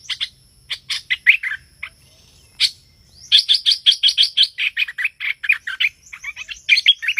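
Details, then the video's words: Streak-eared bulbul calls used as a trapping lure: bursts of bright, high chirps in quick runs with short pauses, rising into a fast, steady series of sharp notes toward the end. "Tiếng Chim Hoành Hoạch Thơm Cực Chuẩn / Bẫy là dính 100%"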